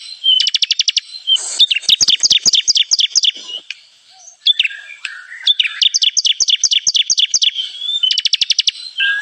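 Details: Bar-winged prinia trapping lure: dense, high-pitched chirps in quick repeated trains, some faster and trilled, with short breaks between bursts across the whole stretch.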